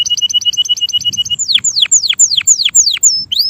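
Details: A male canary sings rapid repeated two-note chirps, then a string of loud, steeply falling whistled sweeps ending in a short rising note.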